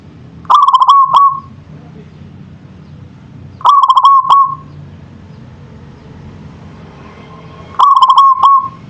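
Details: Local perkutut, the zebra dove, delivering its song three times about every three and a half seconds: each phrase a quick run of staccato coos sliding into a level trill with a short tail note.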